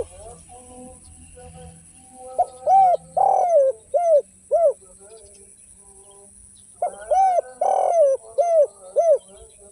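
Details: Derkuku, the spotted dove, in gacor song of the tanpa kuk and kuk 1 styles: soft faint coos at first, then two clear phrases of rounded, hooting coos, each with one longer swelling note.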